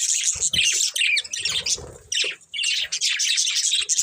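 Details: Breeding pair of budgerigars squawk and chirp in quick, uneven bursts, harsh high twitters alternating with short gaps and a soft low rustle.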